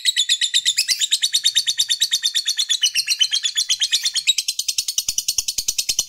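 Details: Fighter lovebird giving its long ngekek, a stimulating 'ketikan' meant to provoke rival males: a rapid, even, high chattering trill of about seven notes a second, held for six seconds, dipping slightly in pitch near the end.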